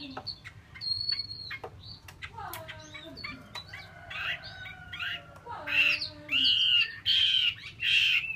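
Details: Female Chinese hwamei giving harsh, buzzy chattering bursts with some faint tonal notes early on. The calls grow louder toward the end as a series of strong rasping notes, each roughly half a second long.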